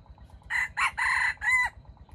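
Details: Red junglefowl, a wild chicken taken in a baited trap, gives a clipped four-syllable crow, short first notes, a longer middle phrase and a brief falling end, with faint pulsing background noise.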